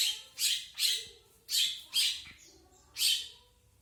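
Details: Long-tailed shrike delivering rough, squawking rasps, each a short broad burst, two paired quickly, then more at intervals of roughly half a second to a second over a faint low hum.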